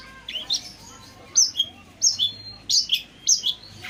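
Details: Long-tailed shrike singing, played as a lure for silent or stressed pentet birds: piercing high notes, each dropping into a short downward slur, delivered about every half second with brief gaps.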